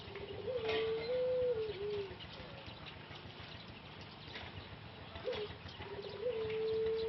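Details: Rehabilitating male Pelung dove, a breeding cock from Solo, Indonesia, that lost its voice after six months of production; a low coo with a small rise and dip, then two shorter coos later.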